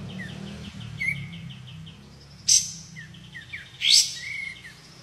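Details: White-shouldered triller song: short sharp chirps and brief slurred whistles in scattered bursts, with a few loud high notes standing out over a low background hum.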